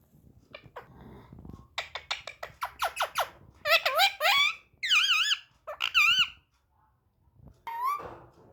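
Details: Pet parrot talking: a run of quick squeaky syllables, then louder warbling, wavering word-like sounds with rising and falling pitch, a short pause, and one last short utterance.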